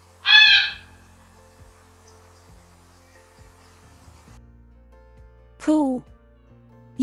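Two loud, nasal, harmonic honks of a Greylag Goose, about five seconds apart, the second dropping in pitch, over a faint low background hum.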